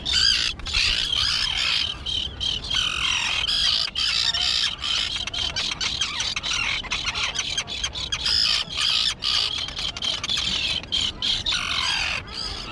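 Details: A grass-covered island tern colony where the young birds have grown and learned to fly: a dense, continuous din of shrill, grating screeches from many birds, overlapping with almost no pause for over twelve seconds.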